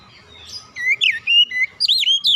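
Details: Oriental magpie-robin, lure song for young untrained birds: after a quiet start, a quick string of clear slurred whistles, some rising and some dropping, delivered in rapid succession.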